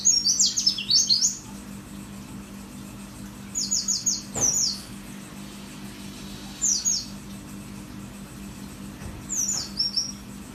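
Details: Mountain white-eye, known locally as pleci dakun merapi, singing actively in a 'wit wit wit' song style: high, thin, rapidly slurred downward notes in short bursts, separated by pauses of a few seconds, over a steady low hum.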